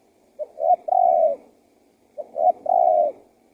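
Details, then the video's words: Spotted dove used to bring wild doves in: two clean phrases, each a quick pair of notes then a drawn-out coo. "SUARA TEKUKUR GACOR PALING AMPUH UNTUK PIKAT BURUNG LIAR"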